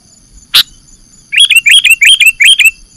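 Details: A Sooty-headed Bulbul (Pycnonotus aurigaster), from a recording meant for luring birds, gives a run of five quick, bright, slurred chirping notes preceded by a single sharp click.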